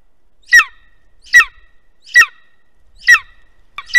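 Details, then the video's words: Harsh, piercing calls from a golden eagle at a webcam nest in Estonia, 2021, repeated five times at a regular rhythm of nearly one per second, otherwise quiet. "Golden Eagle Webcam Nest 2021 - Беркуты. Эстония."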